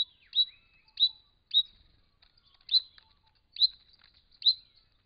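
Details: Brown Treecreeper at a pond in regional Victoria, Australia, wild, caught on a camera trap while drinking and bathing: six loud, high, clipped single notes spaced roughly every three-quarters of a second, with a quiet background.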